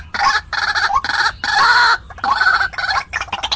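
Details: White-breasted waterhen lure sound for trapping wild birds: four or five loud, harsh, harmonic bursts, some ending in a rising hook, spaced about half a second apart.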